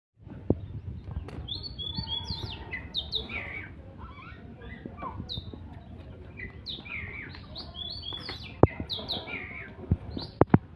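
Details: Oriental magpie-robin singing in full voice while fighting: scattered sweet whistles and slurred notes high up, with sharp clicks and a steady low rumble of background noise throughout.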